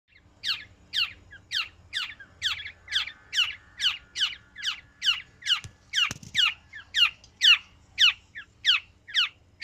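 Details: Black-naped oriole, described as singing; a steady series of harsh, rasping, downward-sweeping notes repeated about twice per second, each note short and scratchy, over a faint low hum with one sharp click midway.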